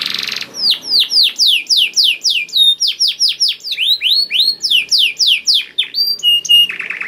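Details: Canary singing vigorously (gacor) to prompt other canaries: a short buzzy burst, then a long even chain of rapid descending whistled notes, about three per second, finishing with pure whistles and a low rattle.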